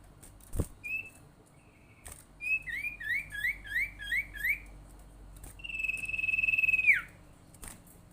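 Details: Sirtu bird lure call used to make other sirtu or cipow birds call: brief whistled notes, then a run of six quick slurred two-part notes, followed by a long buzzy trilled note that slides downward at its end.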